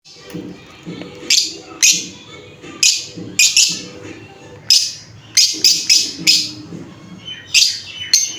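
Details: Lovebird chirping: a series of sharp, high, piercing chirps at irregular intervals of about half a second to a second, over a steady low background hum.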